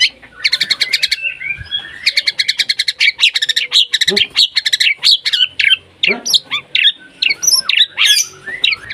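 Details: White-rumped shama in breeding condition, calling a rival with a dense stretch of rapid, repeated chattering notes that breaks into varied sharp whistles and chips, with no pauses in the song.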